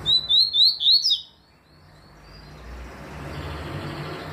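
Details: Tui song of a papa-capim seedeater, 2020: four sharp, upslurred whistles in rapid series open the passage, then fade into steady low rumbling background noise.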